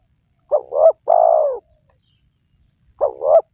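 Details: Spotted dove lure recording for wild doves. One phrase of two short, quavering coos and a long, mellow coo, then the opening notes of the next phrase about 2.5 seconds later.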